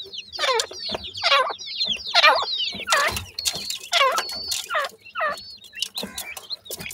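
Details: Grey francolin chicks calling: loud, harsh downward-sweeping chirps repeated roughly every second, overlapping with thin high whistles from several birds, with a faint low hum beneath.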